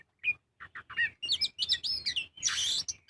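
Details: Magpie-robin in full song as a lure for other birds: a few short chirps, then a dense burst of looping whistles ending in a harsh, raspy squeal.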